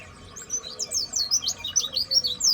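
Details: Pleci seven years old, a songbird kept in captivity, giving a quick series of sharp high warbled notes that sweep up and down, tightly spaced and lively.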